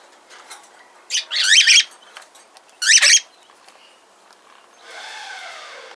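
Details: An 8-year-old male whiteface cockatiel, recently rescued, gives two loud, harsh, warbling screeches about two seconds apart, followed by a softer, breathy rasp.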